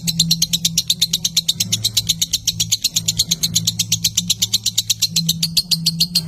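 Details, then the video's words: Lovebird in a long 'ngekek' trill, original sound for training juveniles and lazy adult birds: quick, sharp, high repeated notes running continuously, accompanied by a noticeable low mechanical hum. "Masteran Lovebird Yang lagi Viral, Ngekek Panjang Suara Asli Jernih"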